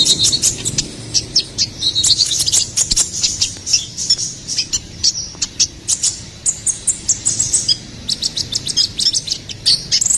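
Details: Ruby-cheeked sunbird song intended for training and attracting songbirds: very high, thin twittering in quick clusters, rather faint and scratchy, with short gaps and clicky notes toward the end.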